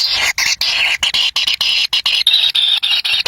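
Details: Wild kingfisher chicks at the nest competing for a black lizard brought by a parent; loud, continuous shrill squealing in rapid bursts broken by brief gaps, nearly constant and harsh.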